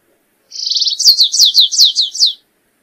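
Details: Song of the stripe-tailed yellow finch: a fast, even, buzzing trill followed by a run of roughly seven clear, downward-swept whistled notes, each one falling steeply. The phrase lasts just under two seconds, with no other sounds.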